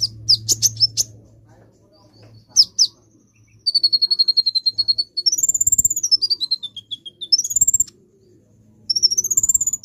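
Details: Lure song of a sunbird: quick clusters of piercing high chirps, then several rapid, even trills of high notes that swoop up and down in whistled sweeps, with a soft low hum beneath.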